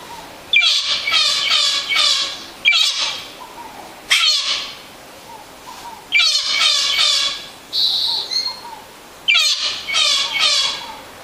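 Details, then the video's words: Yellow-rumped cacique in song, delivering quick bursts of several stacked, twangy harmonic notes with rasping trails, plus one brief pure whistled note near the end. Phrases come in rapid clusters. "Xexéu cantando"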